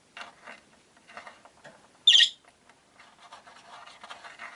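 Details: Five captive rosy-faced lovebirds in a window-side cage: soft rapid chattering throughout with one loud shrill screech in the middle.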